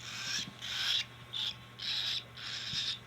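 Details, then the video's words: Hand-fed cockatiel making four or five grating, rasping begging bursts, steady and evenly loud. "Cockatiell Hand feeding 2025"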